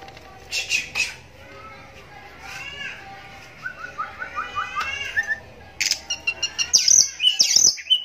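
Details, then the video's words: Oriental magpie-robin kept as a pet, blind in its right eye from a cataract since young, singing: scattered whistles and a rapid run of short falling whistled notes, then shrill high chirps and squeaky phrases, with faint indoor background noise. "Walau Matanya Buta Tapi Suaranya Mampu Bikin Kacer Lain Langsung Nyahut"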